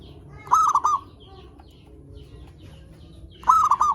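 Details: Zebra dove singing as a lure to stimulate other doves of its kind: two clear phrases three seconds apart, each a quick run of three clipped, ringing coos, with soft faint notes and low hum in between.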